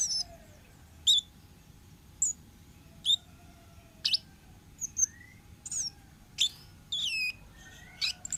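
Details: A wild orange-headed thrush sings for a lure recording, mixing high clear whistles, sharp downward chips and rising swept notes separated by short gaps, with steady faint background hiss.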